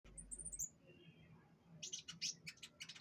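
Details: Canary during a pengembunan (dew-exposure) session: a few very high thin chirps at first, then after a quiet pause a burst of sharp, rapid high notes with scratchy edges over low background hum.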